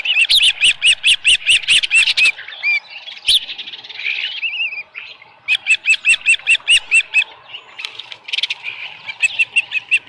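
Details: Morning at the Dunrovin Ranch osprey nest, 13 July 2018, with a live fish; rapid piping chirp series broken by a softer warbling whistle, then the chirping resumes.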